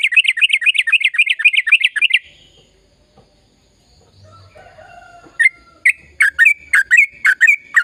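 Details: Sooty-headed bulbul song meant to stimulate silent birds: a fast run of bubbly, rolling notes for two seconds, a quiet gap, then spaced sharp chirps resuming.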